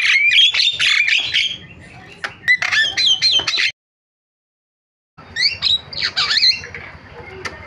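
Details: Jalak, a starling, calling in a lure recording meant to set other starlings off: fast chattering squawks with looping whistled notes, a silent gap, then more swooping whistles.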